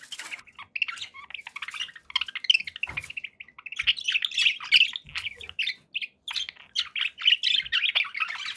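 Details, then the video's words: Pet budgies twittering indoors: a busy stream of chirps, warbles and clicks that grows louder and denser toward the end, with a few faint thumps in the background. "1 hour of budgie sounds"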